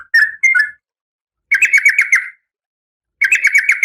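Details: Female oriental magpie-robin in breeding condition calling to a male: two brief notes, then two fast rattling trills of clustered buzzy notes separated by a silent gap.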